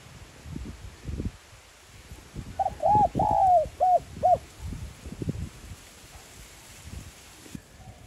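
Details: 'Giọng son' spotted dove coo meant to excite decoy birds. A single phrase of a short lead-in note, two arched coos, a long drawn-out falling coo and two short closing notes, with soft rustling and thuds around it.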